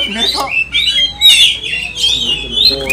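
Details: Over-excited oriental magpie-robin in full song to rouse other magpie-robins, giving long bright whistles that slide up and down between rasping bursts, with faint human voices in the background.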